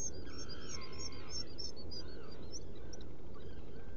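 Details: Black guillemot in a nest burrow on Seal Island NWR, Maine, picked up by a burrow camera on 30 June 2018 around 2 a.m.: a run of layered, wavering calls in the first second and a half, softer ones later, over steady low rumbling noise.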